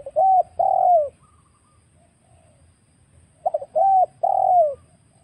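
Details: Spotted dove lure call for catching wild birds: two coo phrases, each a clear level note followed by a longer, falling coo, with quiet gaps and a faint low rumble.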